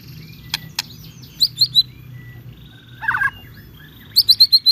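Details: White-rumped shama song used as a lure for other birds to answer: a few clicks, short high whistled notes, a dense buzzy burst, then a rapid run of five bright repeated chirps.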